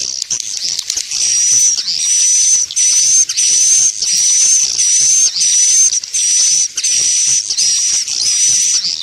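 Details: Swiftlet lure sound used by swiftlet farmers to attract birds: a rapid, buzzy, very high chirping with a thin whistled tone running through, in bursts of about a second separated by short gaps.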